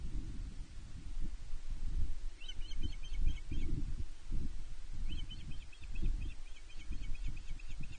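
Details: Female osprey fish-calling on Nest One at Loch Arkaig on 31 May 2023, demanding fish from her mate, picked up by a nest camera: two bouts of sharp, rapidly repeated high chirps over a steady low wind-like rumble.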